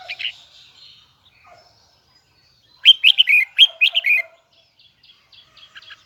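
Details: Caged red-whiskered bulbul from Hue, Vietnam, singing in a high, double-note, twisting voice: a brief opening phrase, then a loud rapid burst of bright warbled notes around three seconds in, with soft chirps after.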